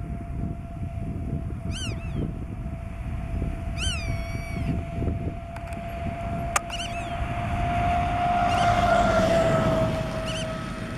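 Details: Black-tailed godwit recorded at Marken in June 2020, giving several nasal, upward-bending calls with trailing tails, spaced unevenly; a sharp click, a continuous engine-like hum swelling near the end, and low wind.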